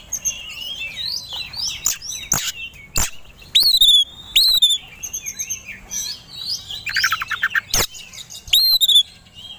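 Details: White-rumped shama provoked to sing aggressively, ready to fight: varied whistles and slurred high notes, several loud clicking bursts, and a brief buzzy rattle, with quieter stretches between.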